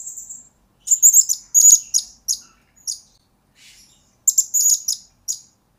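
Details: Blue-crowned hanging parrot master and lure recording for training birds: clusters of shrill, very high trilled chirps in rapid bursts, separated by short silences, a faint soft rustle in the middle.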